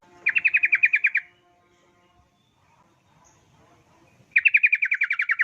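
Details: Rapid lure song of a yellow-vented bulbul, used to coax other bulbuls into singing: two fast bursts of about ten bright, evenly spaced chattering notes, separated by a quiet gap of several seconds.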